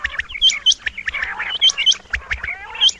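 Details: Males of the Rain Quail calling, short bright double notes coming in quick succession amid scratchy chatter and mixed chirps.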